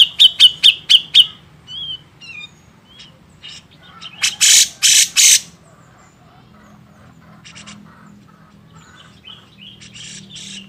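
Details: Grey-cheeked bulbul master recording for training songbirds: a fast burst of five sharp repeated notes, then scattered soft chirps, three loud harsh bursts near the middle, and further short chirps, with a low background hum.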